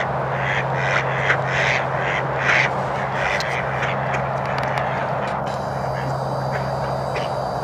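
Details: Several mallards on Millers Pond at Hardwick Hall, December 6 2023: a handful of short harsh quacks early on, then quieter, with continuous low droning hum and broadband noise throughout.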